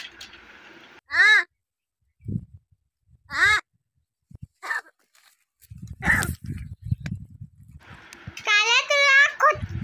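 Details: Talking crow kept at home, said to speak only the words 'ho' and 'kay', gives several loud, harsh, wavering calls a second or two apart, ending in a longer quavering call, while people talk and coax it.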